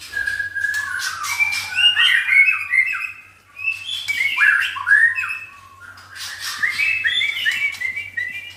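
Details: White-rumped shama let loose in a livestock pen as moult therapy, agitated with tail flicking, delivering three bursts of tumbling whistles and chattering notes in varied pitch, separated by brief pauses, over a faint low hum.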